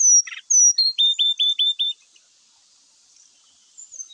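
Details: Grey-chested jungle flycatcher singing vigorously, used as a lure to prompt birds to sing: a short buzzy chatter, then clear descending whistles and a run of five quick hooked notes, followed by near silence and faint high whistles.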